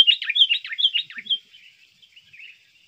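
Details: Sooty-headed bulbul, a trained lure bird for attracting wild birds and contest use, giving a fast run of bright warbled, chattering notes that rise and fall, then fade into softer trailing twitters.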